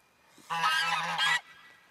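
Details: Four rescued geese, newly arrived at a sanctuary in February 2012, honk excitedly while checking out a large pond and pasture; one loud, harsh, nasal honk lasting almost a second, swelling a little toward the end, against a quiet background.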